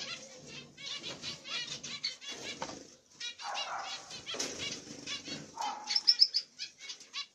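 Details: A pair of zebra finches, black-cheeked masked mutation with a masked carrier female, and their chicks in the nest give nasal, buzzy chattering calls in quick bursts, mixed with fluttering wings and rustling.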